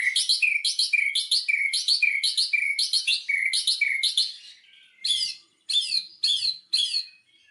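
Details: Lure song of a white-rumped shama (murai batu), played to make a silent bird start singing. Fast paired notes repeat about every half second, then give way to spaced, harsh, noisy bursts.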